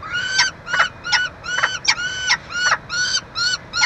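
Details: Peregrine falcons nesting at the University of Montreal, Quebec, Canada, feeding their chick in June 2023; about ten drawn-out, harsh, harmonic wails with clicking accents, repeated roughly every third of a second.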